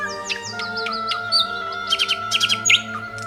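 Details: In Estonia, a Thrush Nightingale (Luscinia luscinia) sings a quick run of high whistled notes followed by loud, clattering chirp bursts, heard over steady humming background music.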